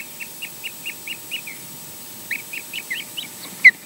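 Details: Osprey pair at a nest in Scotland during mating and changeover, on a nest camera: a series of short, high whistled yelps repeated about five times a second, a pause, then another run ending in a sharper louder note.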